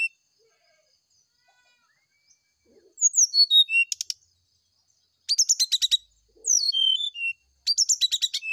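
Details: Morning song of a brown-chested jungle flycatcher meant to draw an answer: falling series of pure whistles alternating with rapid clicking rattles, phrases repeated after short silences.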